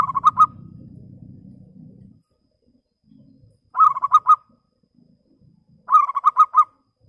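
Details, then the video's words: Clear-voiced local zebra dove used as a lure to draw rival birds, giving three short rapid bursts of soft bubbling coos roughly two seconds apart; a low hum fills the opening two seconds, then faint scattered background noises. "PERKUTUT LOKAL Suara jernih Biang pancingan Ampuh memanggil lawan Emosi nyahut"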